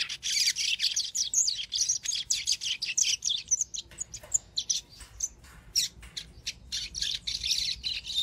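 A Double-collared Seedeater sings a fast, continuous run of high, sharp chirps and trills, bright and varied, with brief pauses between bursts.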